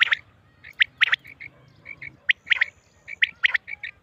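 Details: Quail calls from a Mianwali hunting recording of the female bird: sharp, bright chip notes in doubled and tripled groups, spaced unevenly over a faint low hum.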